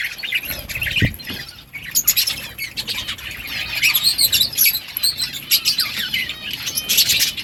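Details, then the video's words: Breeding budgerigars in a colony keep up a steady high warbling chatter with scratchy chirps, a low thump near the start, and louder bursts toward the end. "Budgies parrot chirping sounds parakeet sounds"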